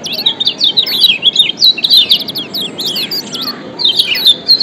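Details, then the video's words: Lemon-bellied white-eye (Lombok yellow white-eye) in a "ciak joss" call combination used as a lure to get other white-eyes singing: rapid, high, sweet twittering, a nonstop tumble of thin slurred chirps and short trills with hardly a pause. "Ciak Joss Kecial Kuning"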